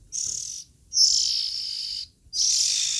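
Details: Three loud, drawn-out hissing rasps from Oriental magpie-robin nestlings, the middle one longest at about a second, separated by brief pauses.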